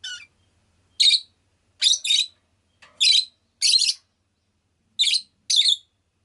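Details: Rosy-faced lovebird chirping repeatedly: shrill, scratchy double and single calls about every half second to second, in a quiet room.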